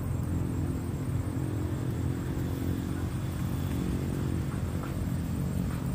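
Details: A low, continuous engine hum like an idling motorcycle dominates, with no bird or other animal calls evident.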